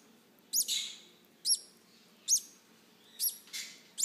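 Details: Green-cheeked conure babies during hand-feeding give a run of about six scratchy, shrill begging squeaks at roughly one per second, each a quick up-and-down note.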